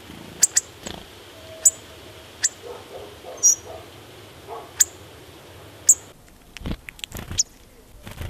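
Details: Hawfinch calling: short, very high, sharp clicking ticks spaced about a second apart, with faint low chatter between and handling noise near the end.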